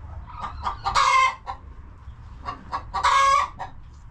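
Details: Chickens settled in their coop: soft scattered clucks around two loud, harsh, half-second squawks spaced about two seconds apart, over a faint low hum.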